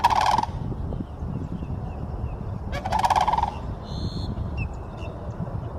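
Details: Two loud, grating rolled calls from sandhill cranes in Florida, about three seconds apart, with faint high chirps from another bird and a rumbling, gusty low background.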